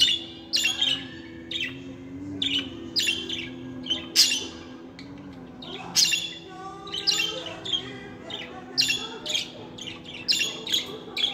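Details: Budgerigars kept as pets in steady chatter, a continuous string of gritty squawks and chirps repeated roughly twice a second, over a quiet low hum.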